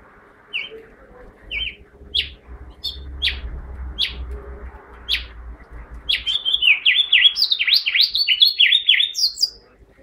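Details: House finch song: single clipped high notes spaced about a second apart, then a rapid run of bright, warbled, up-and-down phrases that fill the last four seconds. Faint low hum in the background.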